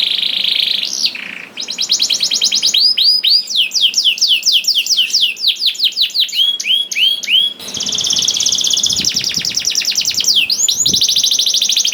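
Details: Energetic canary singing meant to coax other canaries into song: opens with a buzzy note and a swoop, then long runs of rapid clicking trills and repeated upswept whistles, ending in a rasping roll.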